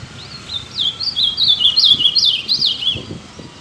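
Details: Ultramarine grosbeak singing a fast, warbled phrase of high, sliding whistled notes that rise and fall rapidly, loudest in the middle, with faint low background rumble.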